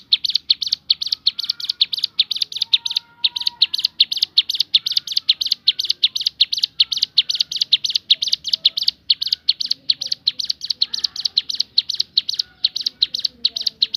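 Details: Javan sunbird singing a long shooting-variation song: a continuous, rapid barrage of shrill, high chirps with only brief breaks.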